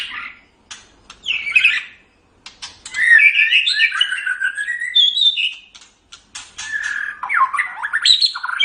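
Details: White-rumped shama song used as a tutor recording for training caged songbirds: varied, rapid phrases of slurred whistles, buzzy chatters and sharp clicks, jumping between low and high notes, with short pauses between bursts.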